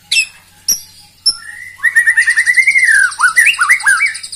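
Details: Provocative white-rumped shama song meant to enrage rivals. Three sharp high notes lead into a rapid rolling trill, then swooping, falling whistled phrases.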